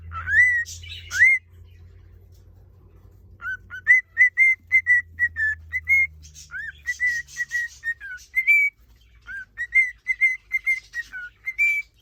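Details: Caged male cockatiel whistling to court a female: clear tonal whistled notes, some rising, some held level, given in bursts separated by pauses, with a low steady hum beneath.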